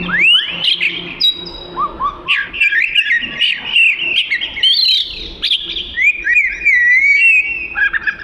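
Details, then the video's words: Vigorous Oriental magpie-robin song: fast upward-sweeping whistles, short repeated rising notes, rattling trills and melodic slurred phrases in an unbroken varied flow, with a faint low hum underneath. "Burung Kacer Suara Gacor"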